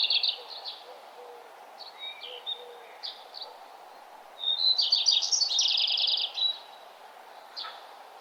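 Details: Early-morning birdsong on a nature trail as the sun comes up: short high chirps, then a long fast pulsed trill lasting about two seconds, then quieter calls.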